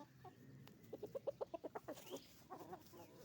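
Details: Chickens on a chicken farm, roosters and hens together: a quick run of about ten loud, evenly paced mid-pitched clucks, followed by softer, rougher cackling notes over a low farmyard rumble.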